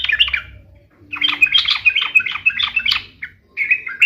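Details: Sooty-headed bulbul song, played to make pet bulbuls sing in reply. Fast, bubbly chattering phrases of rich warbled notes, broken by a short pause, with a low hum underneath.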